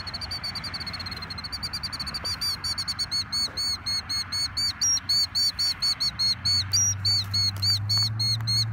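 A Killdeer gives a frantic stream of shrill, high notes, about four a second, growing louder and more insistent, over a low steady hum.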